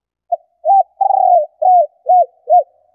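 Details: Female spotted dove calling to excite males into cooing. One phrase: a soft opening note, a longer tremulous rolled coo, then three clipped, slightly dipping hoots. The tone is low and mellow. No other sounds.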